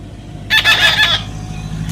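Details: Parrot's gravelly, speech-like utterance of several pulsed syllables lasting about three-quarters of a second, set against a steady low engine-like hum.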